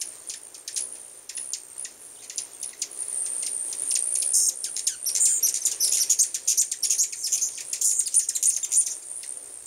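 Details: Hummingbirds present in large numbers at a new place, producing busy streams of sharp, high clicking chips that grow denser in the second half, over a steady shrill background tone.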